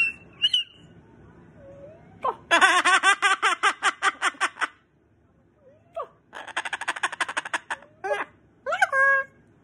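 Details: A pet Moluccan cockatoo, tired of being kissed and hugged and wanting to be left alone, gives harsh, nasal squawks and two long bursts of rapid, raspy pulses, mixed with its owner's voice imitating cockatoo calls.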